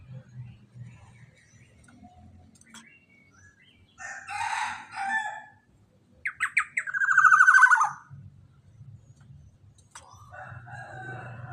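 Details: Black-naped oriole, recorded as a lure for other orioles: a burst of scratchy chirps, then a few sharp clicks leading into a loud, harsh, buzzy note that slides slightly downward, over a low background rumble.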